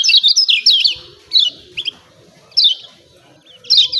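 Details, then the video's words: Lemon-bellied white-eye uttering "ciak ciak" notes, used to stir birds into song. A quick cluster of shrill, down-slurred chirps opens, followed by sparse single chirps spaced about a second apart. "CIAK CIAK JOSS KECIAL KUNING AMPUH‼️PANCING JOS MASTERAN BIKIN GACOR."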